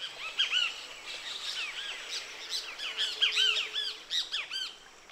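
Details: Two Great Kiskadees talking again, trading loud, harsh, arching calls repeated rapidly over several seconds amid a chorus of other birds, on a cool morning by the Huatulco River, Sierra Sur of Oaxaca, Mexico; the pair was building a nest in a palo mulato tree.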